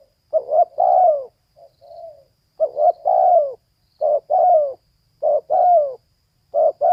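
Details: A female spotted dove gives a steady series of stuttering coo phrases, each a quick broken note run into a drawn-out, falling coo, five phrases in quick succession over silence.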